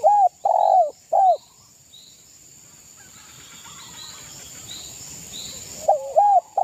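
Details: Zebra dove, local East Javan bird, singing to provoke rivals: a few short, low, arching coos at the start, a quiet stretch with faint high chirps from other birds, then coos resume at the end.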